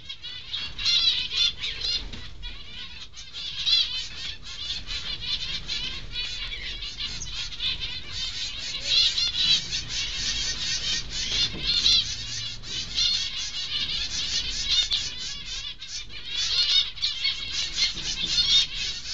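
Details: Zebra finch nestlings, several days old and filmed close up, one preening itself, give a continuous high, raspy chorus of harmonic calls that rise and fall in pulsing bursts throughout, with soft low rustling beneath.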